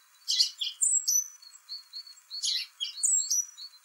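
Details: Song thrush singing in spring, complicated song of sharp harsh chirps mixed with clear high whistled notes, a phrase given, then repeated after a short pause.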